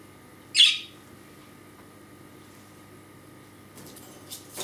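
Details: A pet male budgerigar in a small cage beside a computer, injured wings, gives attention-demanding "kärrö" calls when not watched: one sharp, high, scratchy chirp, then a few softer rasping notes near the end; a steady electrical hum underneath.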